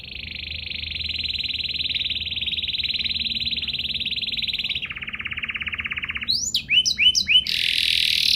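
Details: Canary in sustained song with special flourishes to set off other canaries; a long, even, high rolling trill, dropping into a lower roll, then sharp swooping notes and a harsh buzzy burst.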